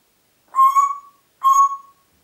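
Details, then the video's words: Pet Congo grey parrot at Diebach near Hammelburg, Germany, recorded 4 April 2012, whistling two steady, clear mid-pitched notes of about half a second each, with rich overtones and a short pause between them; no other sounds. "Kongo-Graupapagei pfeift pfeifen"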